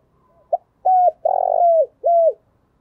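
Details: Low cooing phrase of a spotted dove, played to prompt newly caught wild doves to sing in the thổ voice. A short blip, a level coo, a long burring note that falls away, then one more arched coo.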